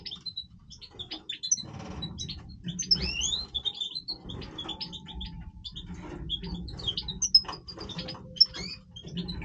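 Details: European goldfinch of the Major type in breeding voice, singing a rapid twittering song of high tinkling and buzzy notes with quick trills and short rising slurs, in near-continuous bursts over a low background hum.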